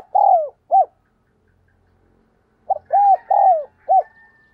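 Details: Decoy spotted dove giving gáy gọi calls to attract wild doves: two low mellow phrases of arched coos, with a long coo then a short one, a silent gap, then four coos, plus a faint thin whistle at the end.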